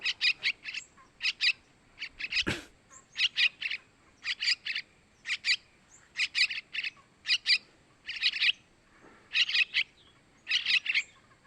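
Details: Sooty-headed bulbul young begging as a lure for males: rhythmic bursts of two or three scratchy high chirps about every second, with one brief loud click midway.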